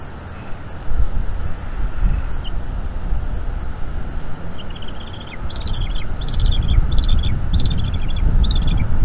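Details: Bald eaglet at a North East Florida nest during an evening feeding by its mother, May 2021; after a quiet start, a run of thin, high, rapidly repeated chirps over low rumbling background noise.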